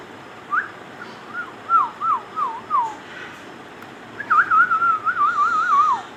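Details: Indian ringneck parakeet kept as a talking pet, giving a series of short wavy whistled notes, then a longer warbling whistle that wavers up and down before dropping at the end, over a low steady hiss.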